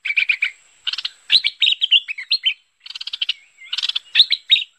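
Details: Bright, chattering calls of a bulbul (merbah/lekir), used as a lure sound: quick bursts of short high notes with a few clearer whistled phrases in between, repeated over a quiet background.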